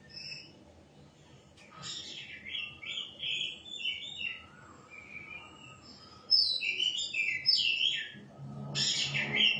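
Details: White-rumped shama song: fluting whistled phrases rising and falling, growing louder midway, ending in a harsh burst; faint low hum behind.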